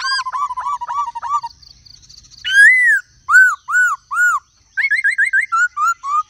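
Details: Captive laughingthrush singing in many voices alongside a calling female: a run of five downslurred whistles, a brief soft buzzy pause, then loud arched whistled notes repeated about every half second and quicker chattering phrases.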